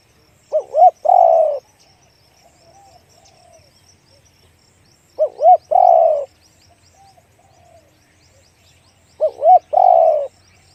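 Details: A spotted dove sings in the one-kuk big-voice style, giving three phrases about four seconds apart. Each phrase is two quick soft hoots followed by a long, deep, level coo, with faint low coos between phrases.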